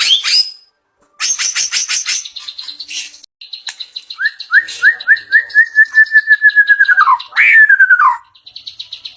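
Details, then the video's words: Murai batu (white-rumped shama) fill song: scratchy high notes, a pause, a fast high stutter, then a series of upslurred whistles merging into a long falling whistle and a final sharp downslur. "perdana murai bongkar isian mewah"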